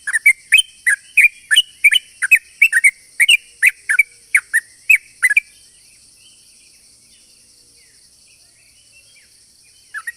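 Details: Lure recording of a sooty-headed bulbul singing a long rapid song: about five seconds of quick, evenly spaced bright chirps and slurred notes, then near silence with one last note, under a constant high-pitched hum.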